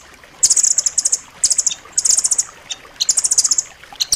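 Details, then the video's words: Nuthatch known as rambatan loreng, a sharp dense master track for pet birds: bursts of rapid high twittering trills, each under a second, separated by short gaps and scattered single chips. "suara masteran rambatan loreng rapat tajam"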